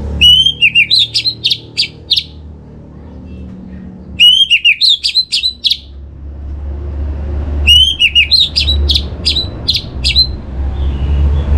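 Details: Orange-headed thrush singing as bait to stimulate other birds: three separate phrases, each opening with wavering whistles and ending in quick high chips, roughly every four seconds, over a low background rumble.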